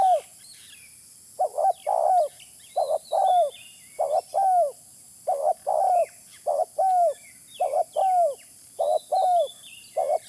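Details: Lure recording of a spotted dove: a continuous series of low mellow coos, each phrase a short double note then a longer note sliding downward, repeated steadily over ten seconds, with scattered faint high chirps of other birds.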